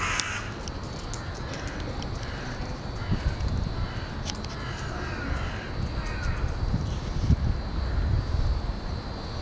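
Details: Several carrion crows arriving to roost at dusk (17:44, 20 February 2013) in the University of Hull woodland give harsh, rasping caws at irregular intervals, partly buried under a steady low rumble of wind.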